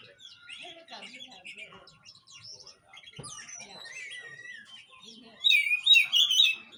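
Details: Oriental magpie-robin (kacer) song meant to prompt a silent bird to sing: busy mixed chirps and whistles, a faint voice-like murmur early, then a loud burst of sliding whistled notes near the end.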